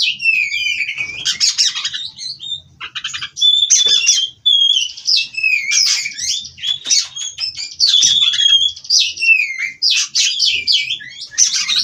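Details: Captive-bred Oriental magpie-robin (kacer) from a breeding farm, singing in nonstop rolling 'ngerol' style: rapid whistled slurs and buzzy rattles, mostly high-pitched, in a dense continuous stream with brief dips in loudness.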